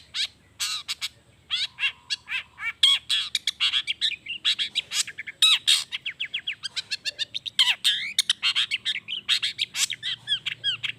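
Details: Long-tailed shrike delivering dense 'gacor' song packed with natural fill phrases, played to coax unwilling shrikes into singing. A fast, nonstop jumble of chirps, harsh rasps and sweeping whistles with barely any pauses.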